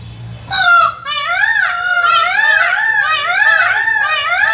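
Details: Male Indian peafowl gives loud, nasal, wailing calls with rising and falling sweeps, running on for about four seconds after a faint low hum.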